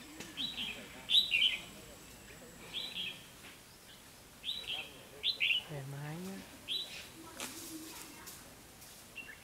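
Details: Caged lure Red-whiskered bulbul singing to draw a rival into a trap: short, rich, chirpy warbled phrases repeated roughly every one to two seconds, with faint low sounds and light background noise.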